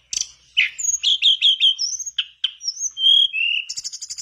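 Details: Energetic mangrove blue flycatcher song serving as a lure for a silent mangrove flycatcher: a string of buzzy notes and sharp chips, then long clear descending whistles and a final rapid high trill.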